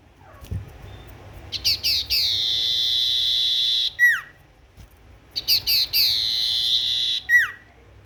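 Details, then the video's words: Tailorbird singing actively: two complete phrases, each with a few brisk chips, a long sustained high whistle and a quick falling note, separated by a short quiet pause. "Burung sirtu gacor"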